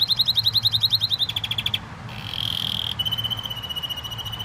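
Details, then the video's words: Canary in full song, running through rapid high trills, a steady held whistle, then another quick repeated trill, with a low background hum. "Best canary singing."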